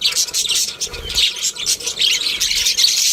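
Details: Loud, unbroken budgerigar warbling: harsh, scratchy high notes and squawks that rise and fall in rapid bursts.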